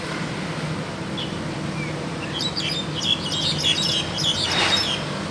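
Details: Wild crested myna singing actively: a burst of rapid, high chirping and squeaky notes builds up in the second half over steady low background hum.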